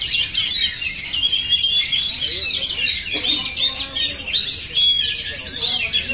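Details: Continuous oriental magpie-robin song with rapid high warbles, sweeping whistles and chattering trills packed closely together, plus a few faint lower notes in the background.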